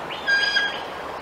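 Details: Bald eagle at the Decorah nest, a resident male back with a fish, warning a young juvenile eagle perched nearby: one short, high, harmonic piping note, slightly rising, then fading out.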